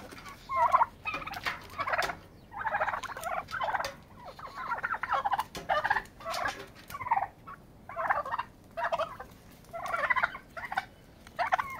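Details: Turkeys brawling to settle a pecking order; continuous rattling gobbles in regular bursts about once a second, overlapping calls from several birds.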